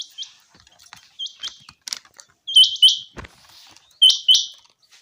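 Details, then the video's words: Common quail in a summer meadow uttering quick, sharp, high bursts grouped in twos and threes, separated by short pauses and faint ticking. "Common Quail. bird sounds from summer meadow"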